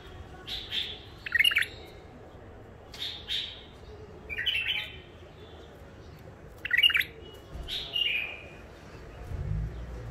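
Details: Caged wild bulbul, caught near Mandali in Iraq and newly isolated, sings a string of brief bright phrases, each a quick burst of fluty, slurred notes, repeated roughly every one to two seconds over low room noise.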